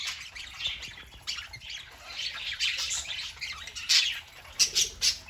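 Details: Pet parakeets on a Saturday morning give steady, busy warbling chatter, a jumble of scratchy chirps and squeaks that grows louder toward the end, where a few sharp squawks break through.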